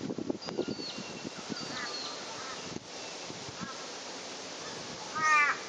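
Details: Black swan recorded 17 June 2011: one loud, nasal, bugling note near the end, after soft knocks, faint thin whistles and a steady outdoor hiss.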